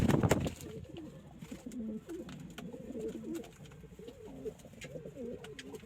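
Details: After a loud, noisy burst at the start, kept pigeons of local, Indian, Chinese and homing breeds coo in low, bubbling, wavering phrases, repeated closely with soft clicks behind.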